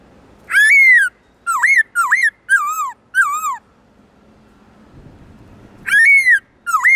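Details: Black-throated laughingthrush in forest-style song (giọng rừng), loud and clear, for training other birds. A burst of five loud, slurred, dipping whistles is followed by a quiet pause, then a fresh phrase begins.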